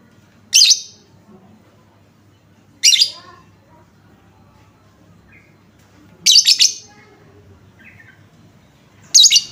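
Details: Shrill lovebird chirp bursts used as a lure to set other lovebirds calling. Four short, harsh, high notes are spaced about two to three seconds apart over quiet background hum.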